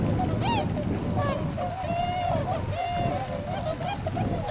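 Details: Wintering Tundra swans in Azumino, Japan, 22 February 2013, before northward migration, leaving their pond to forage in rice fields; a chorus of drawn-out, slightly wavering honks with sharp rising yelps mixed in.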